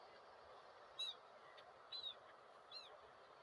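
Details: Gulls give three separate high, thin, downslurred cries, each about a second apart and slightly harsh, against a constant dull background rumble.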